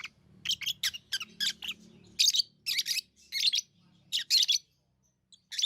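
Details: Pet lovebirds give a rapid run of scratchy, high chirps, several per second, then grouped doubled bursts, with a faint low hum beneath.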